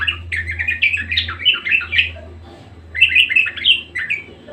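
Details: Persistent budgerigar song, two bursts of rapid chattering warble made of squeaky, buzzy chirps, with a short quiet gap between them over a low steady hum.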